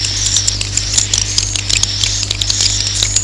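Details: Roosting call of swiftlets, played to draw the birds in to roost: a busy stream of sharp high chirps and clicking twitters over a steady low electrical hum.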